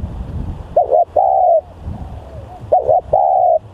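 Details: Spotted dove used for luring, described as highly vocal and aggressive; two phrases, each a quick wavering couplet then a long steady coo, with faint wind-like low noise.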